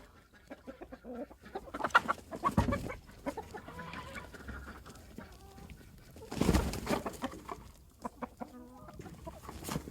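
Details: Close-up barnyard chicken clucking and squawking, with loud bursts of wing flapping about two and six and a half seconds in, between scattered short clucks.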